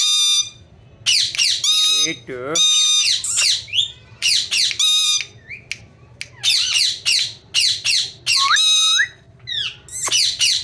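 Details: Ringneck parrot said to be talking "mithu beta": long sequence of loud, rasping squawks mixed with curling, voice-like phrases and a few whistled inflections, with brief silent gaps between phrases.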